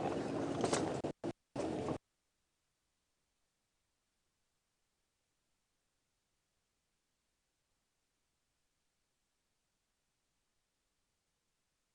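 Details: A couple of seconds of loud broadband rumble and bursts, likely wind or handling noise, then complete silence with no animal voice.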